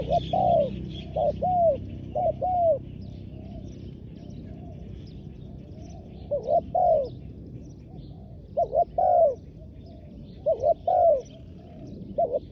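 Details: Wild doves lured by a calling spotted dove decoy on the ground: bursts of three to four low, rounded coos separated by long quiet gaps, with faint distant bird chirps behind.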